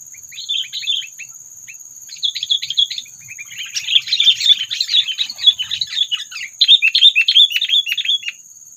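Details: Sooty-headed bulbul calling as a trapping lure to provoke predators: scattered chirpy phrases building into a long, busy stretch of rapid chattering notes, with a steady high-pitched whine throughout.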